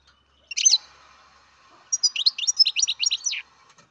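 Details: A captive-bred baby European goldfinch on a farm gives a brief twittered note, then a quick run of about eight high, bright chirps over a second and a half.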